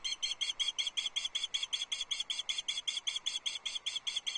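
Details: On 6 July 2024 a female osprey at a Loch Arkaig nest calls persistently for fish from her mate, who stays silent. An unbroken series of roughly twenty-six shrill, ringing whistles comes at about six per second.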